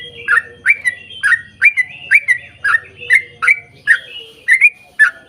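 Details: Long-running 'ropel panjang' song from a yellow-vented bulbul, used to make other bulbuls sing; evenly spaced gurgling notes about twice a second over a low buzzing hum.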